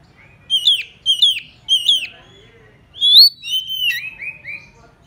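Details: Decoy oriental magpie-robin (murai kampung) singing to lure a rival: three quick, identical sharp down-slurred whistles about half a second apart, then a clear rising whistle followed by a string of falling notes.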